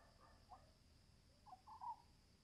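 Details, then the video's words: One of a pair of Oriental scops owls, heard at close range in Pune at night in February 2020, gives a few soft, low, croaking notes, a single one then three, over a steady high insect drone. "Scops Owl Call at night"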